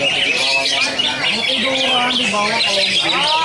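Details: Greater green leafbird (cucak ijo dolar) sitting calmly on a single perch, delivering continuous 'tembakan' bursts: dense, sliding, chirpy high phrases, rapid repeated notes, over lower warbled, harmonic sliding tones and a steady background hum.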